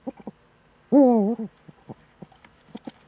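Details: Eurasian eagle-owl in the Eifel region of Germany, early morning, 26 September 2013: a few short low notes, then a loud, rasping, slightly falling cry of half a second, followed by sparse soft pulses.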